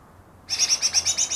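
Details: Greater green leafbird, caught two days earlier and said to imitate ten other bird species, giving a rapid series of about eight high, even chirping notes after a moment of quiet.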